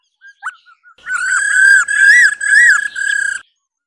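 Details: Female laughingthrush giving its 'ro ro' to rouse males to sing. A few soft short notes open, then three long, loud, steady whistles, each with a gentle rise and fall in the middle.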